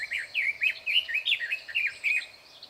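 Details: Red-billed leiothrix singing loudly from inside bushes, recorded 21 May 2024: a fast, rich warble of rolling, rising and falling whistled notes in a continuous phrase of about two seconds, in a quiet setting.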